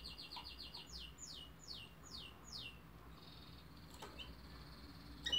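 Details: Canary song opens with a series of evenly spaced downslurred whistles, slowing as it goes, followed by a soft high trill and a closing sharp chirp.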